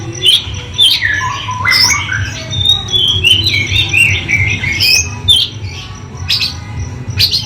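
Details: Oriental magpie-robin delivering a busy, varied song of warbled whistles and chattering trills, with sharp clicks and a persistent low hum beneath.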